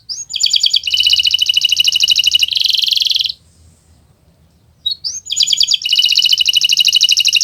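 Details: Kenari Nusantara canary singing steadily in gacor style as a tutor recording: dense high buzzy rolls lasting about two seconds, a short pause, then another loud rapid roll.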